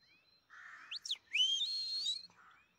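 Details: Pet grey-headed goldfinch in the city of Istaravshan, singing a short phrase: a soft buzzy note, then quick upward and downward slurred whistles and a loud, high, ringing trill that ends in another soft buzz.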